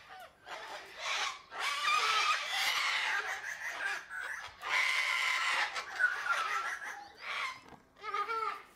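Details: Sulphur-crested cockatoo uttering long raucous rasping screeches in two main drawn-out bouts, followed by shorter harsh squawks and a few wavering notes.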